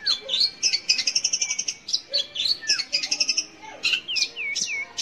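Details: Long-tailed shrike singing, a recording meant to coax young or non-singing shrikes to sing; quick harsh chatter runs, then a series of three looping whistled notes, each dipping and rising.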